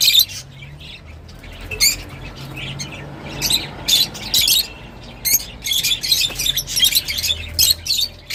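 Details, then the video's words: Lovebirds, kept as pets indoors, giving sharp, high-pitched squawking chirps in rapid bursts, clustered in a busy run through the latter half with short pauses between. "صوت روز /Love Bird Sound"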